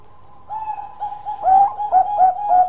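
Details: Bangkok zebra dove, singing actively with a long song: soft introductory coos build into four louder, rolling, throaty notes spaced roughly half a second apart, with a faint steady tone beneath.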